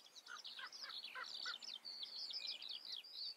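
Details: Common redstart singing in the Eifel, Germany: a rapid, high, scratchy twittering run of varied notes, with a few lower, clearer notes mixed in early on.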